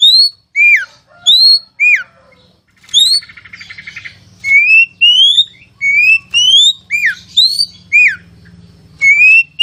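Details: Kacer, or oriental magpie-robin, performing masteran training song: ringing upslurred and hooked whistles repeated with pauses, a brief buzzy rattle near the middle, and a steady low hum in the background.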